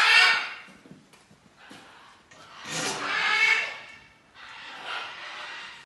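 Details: Two sibling Great green macaw chicks, captive-bred at a refuge and breeding centre at Punta Islita, recently fledged from their artificial nest box and out in the aviary. Harsh, raspy, broadband squawks come in three drawn-out bursts, the middle one loudest and longest.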